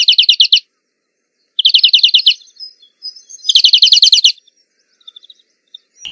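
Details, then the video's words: European greenfinch (Chloris chloris) singing in nature: quick, bright trills of rapidly repeated notes in short bursts about a second apart, with a few soft thumps partway through. "Birds Singing - European Greenfinch"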